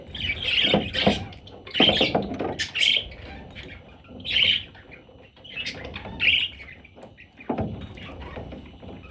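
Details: Parrot chicks: clusters of short scratchy chirps and squawks every second or two, with rustling and knocking sounds between calls.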